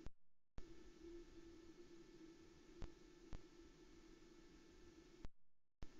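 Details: A steady electronic hum and hiss fills the recording, broken by a few sharp clicks and brief dropouts to silence, with no animal calls.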